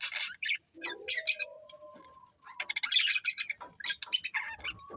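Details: Budgerigars of a breeding pair alternating scratchy high chirps with longer, thinner whistled tones, then a fresh flurry of rapid twittering.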